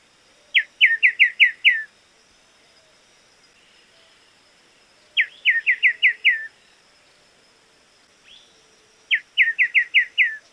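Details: Crested Becard from Argentina: three bursts, each of about six quick, clear, upslurred whistled notes in a rapid run, spaced roughly four seconds apart, over a steady faint high-pitched hum and soft low background calls.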